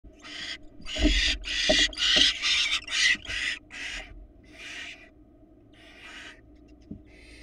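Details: Barn owls at a nest box on a Florida nest cam run with the University of Florida, 2022, after the male brings a rat. Loud, harsh, broadband hissing screeches come in rapid succession, about nine bursts, fading toward the end.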